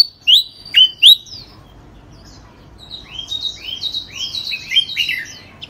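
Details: Three loud ringing whistles open, followed after a pause by a rapid jumble of downslurred chirps, sung by a nonstop songbird that took third place in a singing contest.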